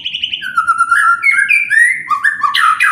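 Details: White-rumped shama singing to provoke rival birds: a rich, sliding whistle that rises in steps through clear, drawn-out notes, ending with a loud, abrupt burst.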